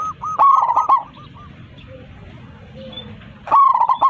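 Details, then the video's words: Local zebra dove in strong song, calling its flock, with a big voice: loud bursts of rapid, arched cooing notes at the start and end, separated by a quieter stretch of softer coos and faint background murmur. "PERKUTUT LOKAL GACOR 27 MEMANGGIL KAWANANNYA MANGGUNG suara besar"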